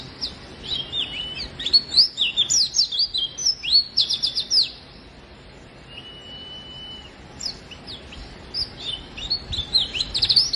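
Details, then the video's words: Oriental white-eye, a lively singing bird used to prompt lazy white-eyes to sing, giving rapid high twittering runs of sliding notes, a pause with one long thin steady whistle, then more busy chirping phrases. "burung pleci gacor!!! efektif untuk pancingan dan masteran pleci yang malas bunyi"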